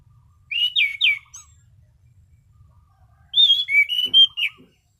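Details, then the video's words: Orange-sided thrush, a caged songbird, singing a relaxed, clear "ngeplong" style song: two bursts of three or four loud whistled notes around 2–4k, some sliding downward, separated by a pause of about two seconds. "Burung Anis Cendana Ngeplong Santai"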